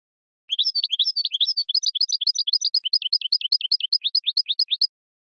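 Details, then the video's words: Continuous, fast, liquid twittering of a male European goldfinch singing to arouse the female for mating, with high, tinkling notes running for over four seconds. "اقوى تغريد حسون يحفز الذكر يهيج الأنثى للتزاوج"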